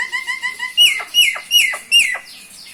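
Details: A common myna, subspecies Acridotheres tristis tristis, gives five quick, even piping notes, then four loud, harsh downslurred squawks about every half second.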